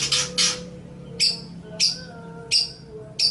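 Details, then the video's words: Long-tailed shrike (cendet) recorded as master audio for training other birds: two harsh rasping bursts, then short high sharp notes repeated roughly every half to two-thirds of a second, with quiet gaps and faint hum between. "Ocehan Suara Burung Cendet/ Pentet"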